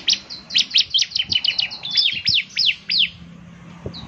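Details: Actively singing bar-winged prinia, known locally as ciblek semi, whose distinctive song reportedly sets other prinias singing: a dense burst of rapid high chips and slurred notes for about three seconds, then quiet.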